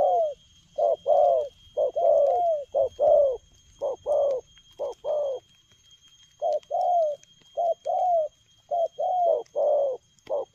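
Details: Fast, energetic spotted dove cooing in the 'lèo gù' manner: two runs of short, round, downslurred notes, each run of several quick coos, separated by a brief pause, with a quiet background.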